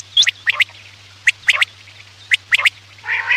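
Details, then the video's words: Quail call for night use as a hunting lure: sharp clipped notes in pairs and triplets, each group about a second apart, ending with a harsher buzzy burst, over a steady low electrical hum. "Batair ki awaz raat k liye|batair ki awaz shikar k liye"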